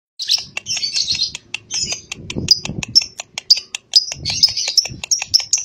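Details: Lovebird chatter used as a lure to make young lovebirds answer: dense high twittering with rapid squeaky chirps and short buzzy bursts, many quick clicks between, some low rustling in the background.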